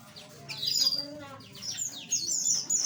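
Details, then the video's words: Small aviary birds with a short burst of bright, high chirps and slurred whistles that overlap, over a soft low hum. "Suara Burung Asli - Jenis Burung Aviary Kecil"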